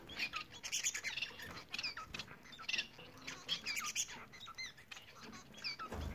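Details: Bengalese finches, several birds singing together: busy stream of short chirps, clicks and buzzy notes around the upper-middle range, with small rising and falling whistled slurs, dense and continuous throughout.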